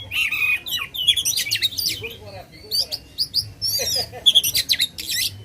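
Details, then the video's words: Oriental magpie-robin in loud song meant to rile contest birds: dense high whistles, trills and quick slurs, with some lower chattering notes and a steady low hum underneath. "kacer gacor ngobra suara lantang ampuh buat pancing emosi kacer kontes."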